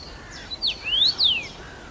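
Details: First-summer male Common rosefinch singing from a favoured branch at Bazel, Belgium, in June 2015: one loud whistled phrase, a short note then a falling slur, a rising glide and a descending whistle.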